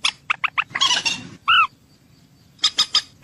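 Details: Common moorhen calls used for hunting: a quick run of sharp clicking notes, then a harsh rasping burst, a loud clipped whistled note, and a second short series of clicks after a pause.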